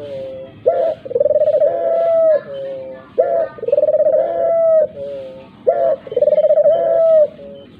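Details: Dove heard in a lure track meant to prompt even quiet doves to call: three rich phrases, each a short sliding note followed by a long, vibrating steady coo and a lower fading tail.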